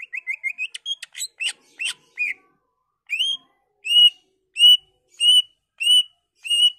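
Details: Greater green leafbird singing to excite other leafbirds into song: a rapid twittering burst of short notes and clicks, then a slower, even sequence of six loud upslurred whistles spaced about two thirds of a second apart.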